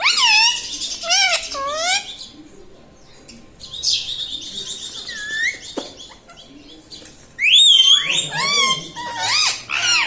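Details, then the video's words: Pet parrot at home, talking: harmonic, wavering vocal phrases with bent pitch in bursts near the start and again after seven seconds, separated by quieter stretches with a faint sustained tone. "bolta parrot"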